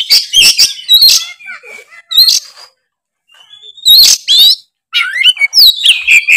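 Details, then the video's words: Oriental magpie-robin singing prolifically in the loud, open ngeplong style: bursts of sharp whistled and chattering phrases with rapid rising and falling sweeps, separated by short silences. "suara kacer gacor full ngeplong"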